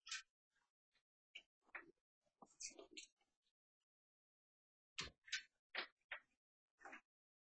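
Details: Rose-ringed parakeets in Tokyo, Japan, 21 May 2020, where two wild birds visit a flightless one, give harsh, grating screeches in two loose bursts of several quick calls each, with a few soft knocks between.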